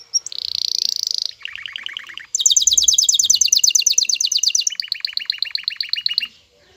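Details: Excited male canary singing to make a female take mating posture, running through rapid tours: a buzzy high trill, a lower pulsed roll, a very fast bright trill, then a lower chattering series.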